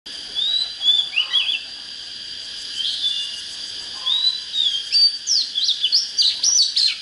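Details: Oriental magpie-robin singing, played as a lure to fire up wild birds for fighting: scattered whistled phrases, then a quicker run of bright, varied notes near the end, over a steady high-pitched whine.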